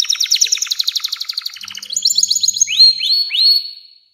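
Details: Canary in 'nembak panjang' long song for teaching young canaries: a fast pulsing trill, then rising chirps and three loud upswept whistled notes before fading out.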